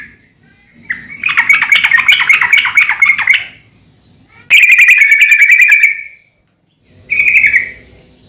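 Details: Sooty-headed bulbul song used for training and luring birds: two long rattling trills of bright chirps, about two seconds each, then a short closing whistled phrase, with quiet gaps between.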